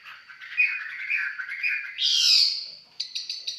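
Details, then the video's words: Red-whiskered bulbul singing up close, a warbled phrase of slurred notes around mid-high pitch that rises into a louder bright burst, then a few short clipped chirps at the end. "Cận cảnh mộc chiến., hót chơi"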